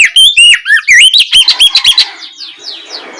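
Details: Oriental magpie-robin singing in the ngeplong style in the afternoon, used as a lure to get other magpie-robins to answer quickly. A loud run of clear, varied whistles, rising and falling slurs and short sharp notes, fading into softer twitters at the end.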